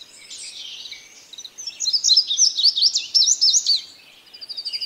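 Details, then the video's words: Indigo bunting song: a thin high warble, then a loud string of rapid zigzag notes, closing with a short series of softer repeated high pips. "suara Burung Indigo Bunting ||Burung kenari Biru"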